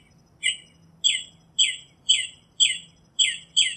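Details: Northern Mockingbird singing: a sharp, slurred chirp repeated seven times in under four seconds, fairly evenly spaced, with a faint steady hum in the background.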